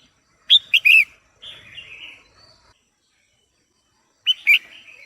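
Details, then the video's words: Female red-whiskered bulbul singing to excite the male: quick loud chirps, then a softer downward-slurring warbled phrase. After a gap of nearly two seconds, another burst of sharp notes trails off, with no other sounds. "Chào Mào Mái Hót Kích Trống Căng Lửa | เสียงนกกรงหัวจุกตัวเมียดังฟังชัดกระตุ้นนกตัวผู้"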